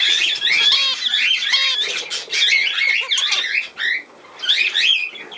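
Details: Captive budgerigar in a loud, continuous warbling chatter: rapid twittering notes, buzzy squawks and brief whistled slides, almost unbroken, with a short pause near the end before the chatter resumes.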